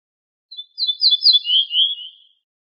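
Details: Song of an ortolan bunting (Moroccan name bouh fassi): a thin opening note, several sweet, high, repeated notes, then a pair of lower, drawn-out, slightly falling notes. The background is silent.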